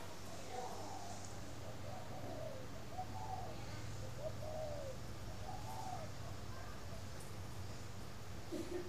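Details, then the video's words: Spotted dove at a bird farm in Ba Vì, Hanoi, northern Vietnam, cooing in the morning: soft, low, rounded coo phrases repeated every second or two over a steady low hum, with a brief chirpy note at the end. "CHIM CU GAY HAY mỗi buổi Sáng"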